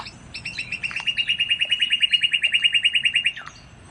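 Northern cardinal song: a few slurred opening notes, then a bright, steady trill of about twenty-five clear whistled notes, roughly eight each second, over a faint low hum.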